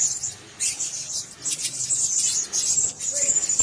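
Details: Caged blue-crowned hanging parrots give dense, high, buzzy twittering in overlapping bursts, separated by brief quiet gaps.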